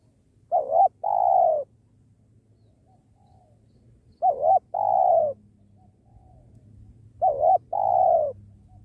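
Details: Spotted dove cooing during dove trapping near a sacred tree: three repeated phrases about three seconds apart, a short undulating note then a long hollow one, over steady low background hum.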